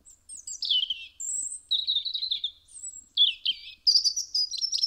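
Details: European robin singing at a house window in Eibar, Gipuzkoa, in December 2019: varied high phrases mixing thin sustained whistles, falling warbles and rapid tinkling trills, separated by brief pauses.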